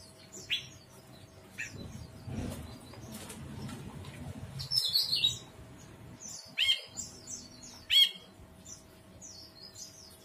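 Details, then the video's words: An ashy bulbul gives bright, high chirps and quick fluttering phrases in short bursts every second or two, over a faint steady hum. "Kicau Burung Brinji Kelabu"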